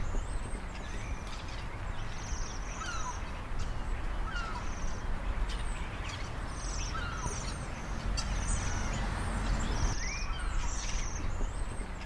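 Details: Waxwing calling on the Isle of Man, Zoom H1 recording; repeated high, silvery buzzing trills sound throughout, mixed with lower short rising chirps from other birds, over a constant low rumble.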